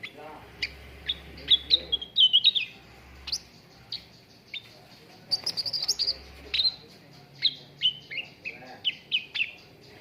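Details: Cucak ranting song used as a training lure for contest birds: lively sequence of sharp chirps and slurred whistles in uneven bursts, a rapid chattering run near the middle and descending whistled notes toward the end.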